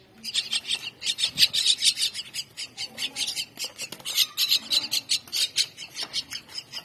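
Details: Mynah chicks at feeding time give a hungry chorus of harsh, raspy, hissing begging calls, repeated rapidly in dense bursts that overlap and swell and fade throughout.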